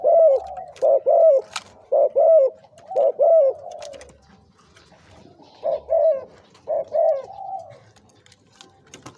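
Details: Spotted dove kept as a decoy bird, aged two to three years, giving a deep-voiced cooing style: short hooked coos in quick pairs and triplets, pausing after about four seconds, then resuming.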